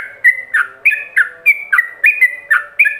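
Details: Yellow-vented bulbul ropelan master song for training other bulbuls: slower paired whistles, a level high note followed by a drooping lower one, repeated steadily, with faint hum underneath.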